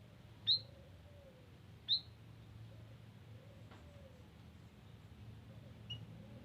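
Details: White-headed munia in a garden, recorded for use as a lure: two clear, thin, high peeps about 1.4 seconds apart, then a faint third note near the end, over a steady low hum.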